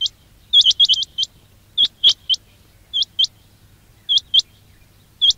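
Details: Quail lure call for trapping: an opening cluster of rapid high chirps, then spaced single and paired upward-flicking notes with gaps, over a faint low drone.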